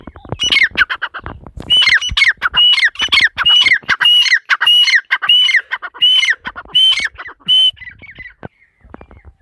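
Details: Harsh squawking calls from a female partridge in the masti wali korak style, rasping notes repeated quickly about twice a second in a long steady run that stops near the end.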